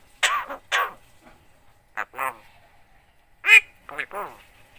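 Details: Javan myna, a very vocal talking bird said to imitate the greeting Assalamualaikum, coughing and 'halo cewek'; short harsh, voice-like bursts in a few paired groups, with a gap between each group.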